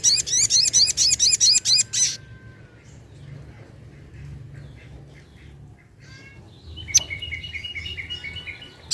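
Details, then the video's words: Sunda pin-striped tit-babbler calling for use as a lure: a fast series of loud, harsh notes for two seconds, then near quiet. A thin, evenly repeated whistled series from another bird follows later. "Pancingan Burung Sogok Ontong ( Sogon )"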